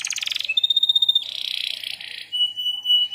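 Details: Canary performing a master-training lure song: a rapid rattling trill opens into a clear steady whistle, then a dense buzzy roll and thin whistled notes.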